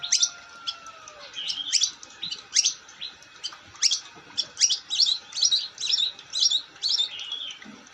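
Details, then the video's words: Long-tailed shrike singing actively: a steady run of sharp, chattering chirps and short whistled phrases, repeated several times per second. A faint long whistle is heard at the start. "Burung cendet gacor"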